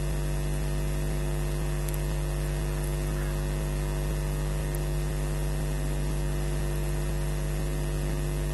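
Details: Only a steady electrical mains hum with static and a few faint clicks is heard, with no animal voice.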